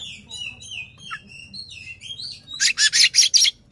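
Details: Oriental magpie-robin, tail open, singing to provoke a rival: gentle whistled warbling notes build into a series of five loud harsh rasping bursts at the end.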